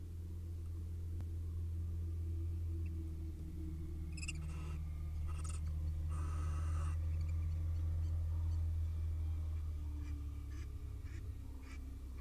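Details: Wild barn owl pair courting inside a nest box in Israel: harsh, hissing screeches in a cluster, the longest lasting about a second, then softer short clicks and chirps. A steady low electrical hum runs underneath.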